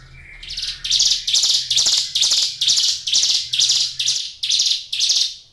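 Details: Caged hill prinia singing actively: a steady series of harsh, buzzy, broadband bursts, about two per second, each swelling then cutting off, after a brief thin whistled lead-in note.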